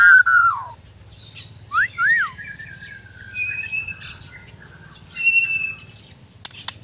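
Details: White-rumped shama from Borneo in mental training, giving a loud descending whistle, paired arched notes, a soft trailing whistle and high thin notes, with clicks and low hum.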